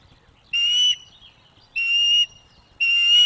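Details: Female osprey at a Loch of the Lowes nest webcam in May 2024, food begging to encourage a young male to bring fish during courtship; loud drawn-out whistled calls repeated about every second, each with a steady high tone.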